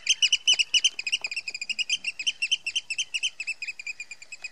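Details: At Heybridge Basin, Essex, a Eurasian oystercatcher sounds the alarm with piercing, evenly spaced piping notes, fast and insistent, a few faint clicks in the background.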